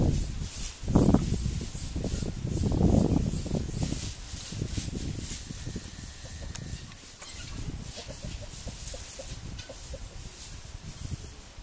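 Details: A crestless curassow in La Macarena natural park gives deep, low grunting calls in a few short bursts over the first half, against steady forest hiss and faint insect buzz.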